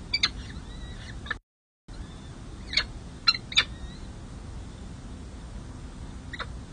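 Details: Peregrine falcons at a nest on San Jose City Hall, California, on 2 May 2024, when a second chick hatches and two chicks get their first feeding. Scattered rasping notes mix with faint thin whistles, followed by quieter stretches.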